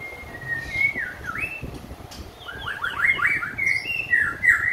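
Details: White-rumped shama after a complete moult, singing long drawn whistles that dip and rise, then a quick cascade of descending slurred notes leading into bright repeated whistled phrases that grow louder toward the end.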